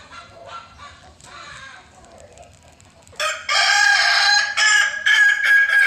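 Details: Faint distant crowing and clucking gives way to a loud, full Kukuak Balenggek rooster crow of several long segments, from a hobby-bred bird.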